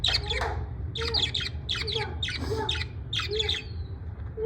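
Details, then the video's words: Parrot in the USA in a good mood, giving a run of harsh broadband squawks and chattering notes in quick bursts, with steady low hum in the background. "Parrot in usa in good mood"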